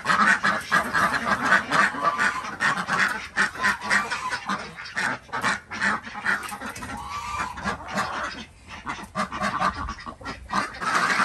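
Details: Desi ducks at a village farm in Andhra Pradesh, morning egg collection: honking, nasal quacks pour out in overlapping waves, briefly thinning before swelling loud again at the end.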